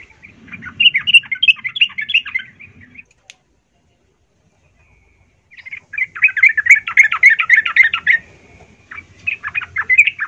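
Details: Yellow-vented bulbul song used as a lure to make other bulbuls sing: bursts of bubbling, chattering chirps at a fairly high pitch. The bursts are split by a silent gap of about two seconds, with a low rumble under the first burst.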